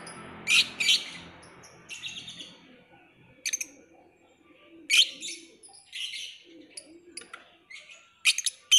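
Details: Lovebird uttering sharp, loud, isolated chirps every second or two, with a softer, scratchy murmur between them.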